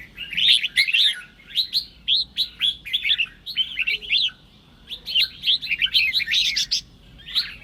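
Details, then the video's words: Red-whiskered bulbul song, played to goad fellow bulbuls into singing: clusters of quick, sweet warbled notes in bursts about a second apart, with a quiet gap midway and sharp ticking clicks throughout. "Chào Mào Kình Kích Chim Bạn Dễ Ché. Âm Thanh Kích Chào Mào Ché"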